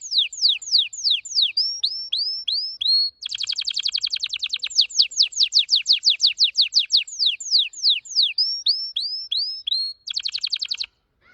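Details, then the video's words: Red factor canary, an orange-red singer, delivers descending slurred whistles, rising whistled notes, a long very fast dense trill, more descending sweeps, and another brief rapid trill before stopping. "Your canary Will Sing Unstoppably || The master singer || Best canary 2026||very fast singing canary"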